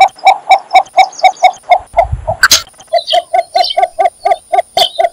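A cinnamon bittern gives a steady series of low, hollow clucking notes, about four per second, with a brief thump partway through and faint high chatter from other birds.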